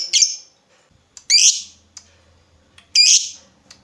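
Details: Lovebird call used as a lure to make other lovebirds reply with ngekek: three loud, rasping, screechy notes spaced a second or more apart, with faint soft clicks between them.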